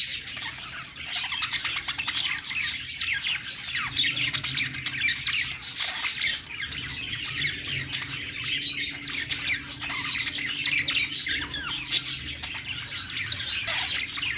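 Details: A long stretch of budgerigar song from birds on a perch: constant scratchy chirping and squawking chatter, with clicking bursts and a single louder note near the end.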